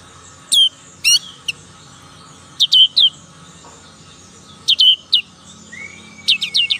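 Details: Young black-capped white-eye learning to sing: spaced bursts of two or three sharp, high falling whistles, with a brief rising whistle and chatter near the end, in an otherwise quiet setting.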